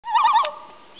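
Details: Common loon, one of a pair with a baby, calling: a brief, fast quavering call, a wavering run of mid-pitched notes lasting under half a second, then fading into quiet.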